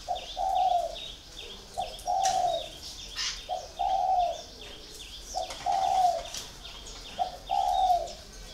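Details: A spotted dove held in a cage for four years coos repeatedly: low, rounded hoots in short groups about every two seconds, accompanied by steady high-pitched chirping from another small bird.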